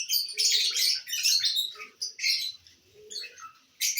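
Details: Lovebirds enjoying corn, dated 18 December 2022; continuous harsh high chatter in overlapping bursts, with faint lower squeaky notes and brief quiet gaps near the end.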